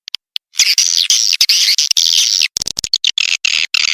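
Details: Swiftlet lure call used to attract swiftlets: a two-second stretch of dense, harsh, buzzy chatter, followed by broken bursts of clicking twitters.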